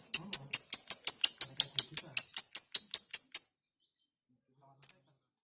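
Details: Fighter-type lovebird kept as a house bird and still shy, giving a rhythmic run of about sixteen sharp, high, scratchy notes, roughly three per second, then falling silent before a final short double note.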